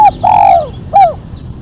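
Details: Spotted dove in a sharp calling style for luring and training: a clipped note, a long drawn coo sliding down at its end, then a short falling coo.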